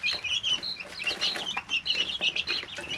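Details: Young chicks, three weeks old, living in a brooder: dense, continuous high-pitched cheeping from several birds at once, with short rapid notes and scuffling noises from movement.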